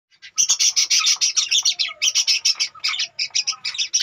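Budgerigars give rapid, harsh, high chirps and squawks in a busy, irregular stream.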